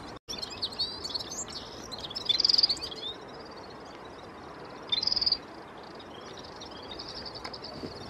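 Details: Red-fronted serin, a small finch, singing: two short, very high, rapid tinkling trills a few seconds apart, with faint thin twittering between them over steady background hiss.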